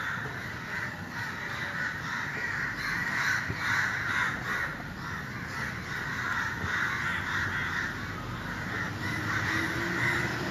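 Crows caw in a steady, overlapping chorus of harsh, rasping calls, several birds calling at once with little pause between them.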